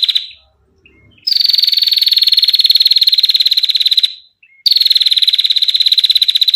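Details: Long, clear 'ngetir' trill of a female bar-winged prinia: a steady rattle of very fast high notes running close to three seconds, followed by a short break and another trill starting. Used as tutor sound or lure.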